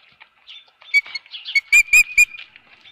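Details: At the Dunrovin Ranch nest with a fish on 24 April 2018 at 4:19 PM, an osprey gives a short run of four shrill, ringing whistled notes after faint twittering.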